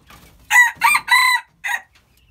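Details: Hybrid red junglefowl crowing: a loud four-part crow, three quick harsh syllables with the third drawn out, then a short clipped final note after a pause, in an otherwise quiet setting.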